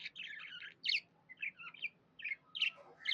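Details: Contented budgie, a pet bird, uttering short scratchy chirps and a few bright tweets, spaced apart by brief silences.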